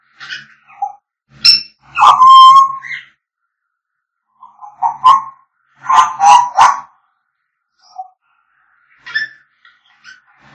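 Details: African grey parrots singing and whistling: scattered clicks and short notes, a sustained tonal whistle with rich overtones, then clusters of rough, chattering squawks and a few soft whistles.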